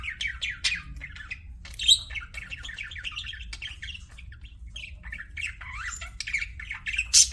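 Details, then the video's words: Pet budgies warble in a long run of fast, rising and falling scratchy notes, with occasional loud shrill squawks cutting through; faint low hum in the background. "CUTE PET BUDGIES"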